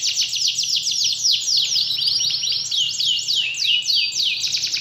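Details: Singing canary used as bait to prompt a reluctant canary to sing: long series of rapid, sharply dropping whistled notes, about three to four per second, flowing into chattering trills with no break.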